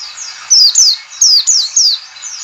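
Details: A white-eye call used as a lure to get white-eyes singing: thin, high, sharply falling whistled notes, about two or three a second, over a faint background hiss.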